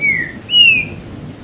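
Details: Green-winged saltator song, from a bird whose keeper plays rain sounds to stimulate it toward tournament singing: two clear whistled notes, each slurring gently downward, the second louder and longer.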